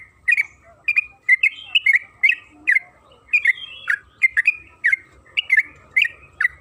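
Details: {'caption': "Trucukan kebo, the yellow-vented bulbul, singing a long rapid 'ropel' lure song: clear liquid chirps and bubbling slurred notes, tightly repeated, bright and cheerful, over a quiet background."}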